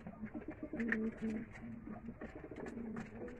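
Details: Loft pigeons in Bangladesh during feeding, giving low, steady cooing notes in short bursts amid faint shuffling and clicking sounds indoors.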